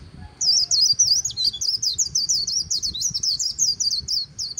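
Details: Loud 'líu' song of a white-eye by the Kỳ Cùng River: an unbroken run of very high, rapid, wavering chirps, warbled and twisting, delivered continuously over a soft low rumble.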